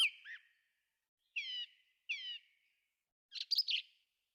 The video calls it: Thrush singing